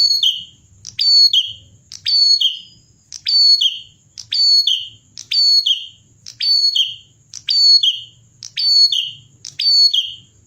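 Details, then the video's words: Energetic song of a Bar-winged prinia: about ten identical phrases in quick, regular succession, each a piercing high note sliding down into a clear whistled slur, against a quiet background. "prenjak klawu Gacor, masteran burung prenjak"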